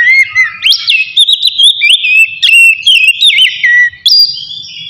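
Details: Oriental magpie-robin (kacer) singing a relaxed, open-throated song meant to stir other magpie-robins' aggression and breeding drive: continuous run of clear whistled notes sliding up and down, some sharp high accents, quiet background.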